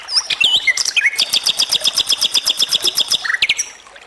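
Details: Lively flycatcher song: a few squeaky opening notes, then a fast, even trill of high clipped notes, about seven per second for roughly three seconds, ending in a brief fading twitter.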